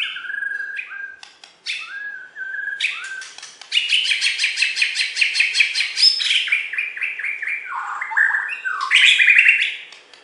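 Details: A champion Bornean white-rumped shama (murai batu) from West Kalimantan sings a rich, varied song of clear whistles, rapid rattling trills and buzzy phrases, shifting pitch and pattern every second or two.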